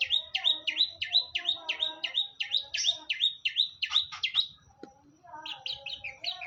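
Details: Caged long-tailed shrike in full song: rapid series of ringing downslurred notes, about three per second, a brief pause, then a quicker chattering phrase.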